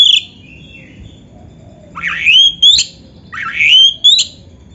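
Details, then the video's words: Oriental magpie-robin (kacer) training song: clear whistled phrases that rise steeply into bright high notes. The phrases repeat about every one and a half seconds with quiet gaps between them. "SUARA BURUNG KACER MASTERAN"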